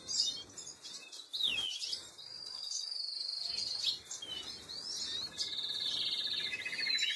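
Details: Young canaries begging while fed, 26 April 2022: high, level whining notes drawn out over seconds, mixed with sharp swept squeaks, ending in a long, fast, buzzy rattle; faint background hiss throughout.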